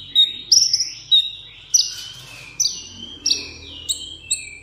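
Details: Caged sunbird performing solo contest song: separate high whistled notes that start sharply and slide downward, spaced irregularly, over faint low indoor rumble and murmuring background.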